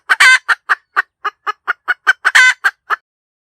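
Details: A hen chicken cackles in a rapid, steady run of about fourteen short nasal clucks. A loud, long, harsh squawk comes near the start and another near the end. There is no other noise.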